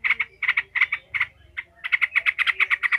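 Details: Yellow-vented bulbul giving agitated 'ngekek' chatter, used to toughen other bulbuls: paired harsh notes, a brief lull, then a rapid rattling series of about ten notes, with low background hum.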